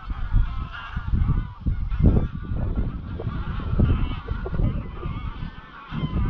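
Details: Greylag geese, an estimated 200-300 birds, flying at dusk from their grazing field to Llyn Maelog near Llanfaelog, Anglesey; a dense chorus of overlapping honks and clamour from the flock, with heavy low wind rumble buffeting the microphone throughout.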